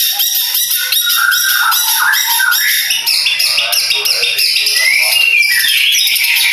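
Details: Madura long-tailed shrike in full contest song: rapid, crowded chattering notes without pause, with a bright rising whistle near the end.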